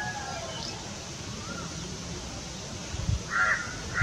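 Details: Malabar pied hornbill eating a caterpillar in the Western Ghats, India: after a quiet stretch with faint rustling and a low thump, a loud harsh nasal squawk bursts out, followed by another short raucous note.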